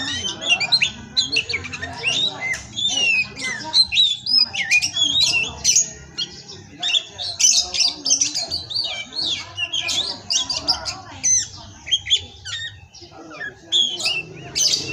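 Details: Fifteen seconds of energetic pastol-style song by a kacer, or Oriental magpie-robin: harsh chatter, rapid squeaky notes and whistled phrases packed tightly together, almost without a break.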